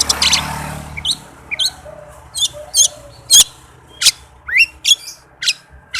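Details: Oriental magpie-robin in fast, dense song played as a lure to get reluctant birds singing: an opening harsh burst, then spaced sharp notes and rising whistled slurs, with short rasping bursts about every half second.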